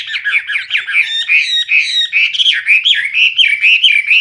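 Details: Hwamei in lively full song, the voice loud and clear: dense, rolling whistled phrases that dip and rise, with short, bubbling repeated notes and occasional higher squeaks woven in.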